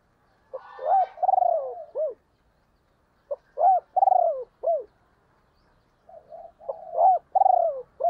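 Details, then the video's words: Female spotted dove used as a decoy to lure wild doves fast; loud, clear hoarse coos in three phrases, each a rising-falling drawn-out note followed by short clipped coos, with silent pauses between. "cu mai gay kich boi nhanh noi"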